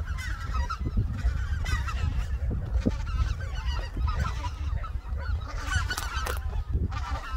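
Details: Flock of greater white-fronted geese wintering on Korea's Cheorwon plain: distinct yelping honks, some rising and falling, repeated in quick succession among a busy chorus, with strong low wind noise.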